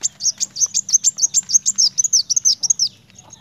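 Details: Kolibri wulung sunbird singing hard: a dense, rapid run of around twenty high, sharp, twittering notes. The final notes are slurred, and the run ends abruptly after about three seconds.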